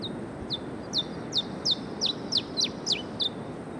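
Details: Cape bunting at Rooi Els, South Africa, on 14 November 2012 gives a quick run of about eight high, sharp, downslurred notes, roughly three per second, over a steady rushing background.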